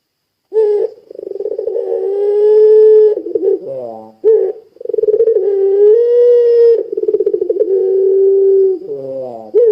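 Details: Puter pelung dove, a lure recording meant to set other doves calling: loud, drawn-out coos held on one low tone, broken twice by short descending warbled notes before the droning coo resumes.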